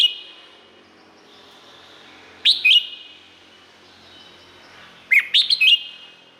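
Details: Red-whiskered bulbul from Thailand singing two short bubbly whistled phrases about three seconds apart. Each is a quick run of rising and falling liquid notes with a lingering echo, and a faint steady hiss sits between them.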